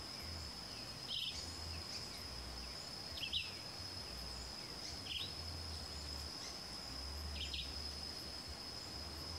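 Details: Crescent-chested puffbird calling with brief high doubled whistles repeated roughly every two seconds, four in all, each a sharp falling pair, set against a constant shrill insect tone and low background rumble.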